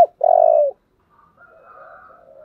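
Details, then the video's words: Spotted dove in the thổ style, giving a single loud, long, slightly buzzy coo that falls gently at its end, then faint, quieter cooing in the background. "Cu gáy giọng thổ/ chuẩn thúc và gáy gọi"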